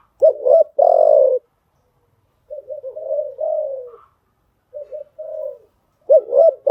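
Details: Spotted dove decoy call for training newly caught birds: loud low coos open the recording, followed by softer stuttering coo phrases after a pause and another loud burst of cooing at the end.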